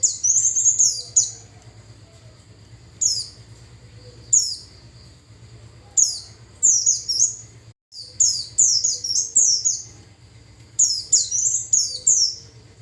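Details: Japanese white-eye song played to lure wild white-eyes: high-pitched twittering phrases repeated every one to two seconds, some brief single chirps, others longer tumbling runs, with a low background hum.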